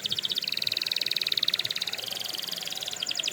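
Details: Singing canary, song meant for training other canaries: a continuous rapid rattling trill, high and bright, shifting slightly in pitch about midway and speeding into a tighter roll near the close.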